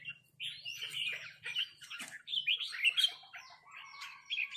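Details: Red-whiskered bulbuls trade rapid 'rik' calls with a resident territorial bird. Bursts of bright, chattering notes are mixed with short rising whistles over a faint low hum.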